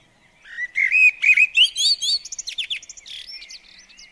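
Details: Common blackbird singing in a garden at a bird table: a run of smooth, rising fluted whistles that speeds into a quick series of high, thin twittering notes before fading.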